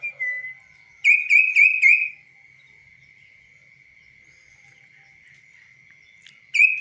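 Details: Tame kaso-kaso bird singing on a hand without a cage, its voice clear: a short slurred note, then four quick buzzy whistled notes in a row, a long quiet stretch with a steady faint tone, and another buzzy note at the end.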